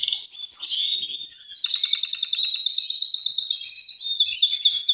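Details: Male canary song meant to spur birds into breeding, other males replying: rapid rolling trill of sharp repeated high notes, steady and bright throughout, with a lower overlapping chorus underneath.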